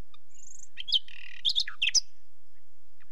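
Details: A thin high drawn-out whistle from a nightingale, followed by a buzzy phrase and several sharp slurred notes in quick succession, then silence.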